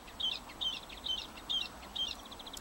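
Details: Bluethroat repeating a short whistled phrase with a sharp falling note, five times at regular intervals of about half a second, ending in a fast, fading, ticking series.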